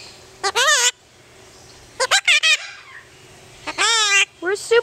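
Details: Pet yellow-collared miniature macaw talking, recorded in Paradise, California, on July 14, 2008: three bursts of rich, wavering, harmonic speech-like syllables, some short and choppy, others drawn out and rasping, with quiet pauses between.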